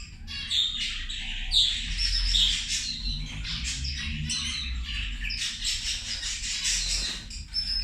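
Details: Zebra finches chattering while they eat lunch, a dense run of brief buzzy, nasal calls from more than one bird overlapping almost without pause, with a faint low background rumble.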